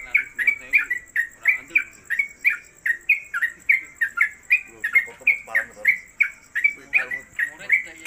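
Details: Yellow-vented Bulbul (trucuk) in a hanging cage, a new bird singing a long run in the 'konslet kemedol' style and fit for tutoring others: a steady stream of sharp, slightly falling chirps, roughly three per second, with a faint constant high whine.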